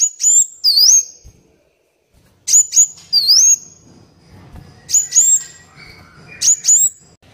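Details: Black Sunbird training song to make captive birds sing and to attract wild birds; groups of two or three sharp high chirps with a looping whistled slur, repeated after pauses.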